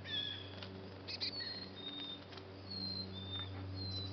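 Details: Two young Black-capped Chickadees fledging, leaving their nestbox for the first time, give thin, high whistled notes, some level and some gently falling, among soft wing flutters over a steady low hum.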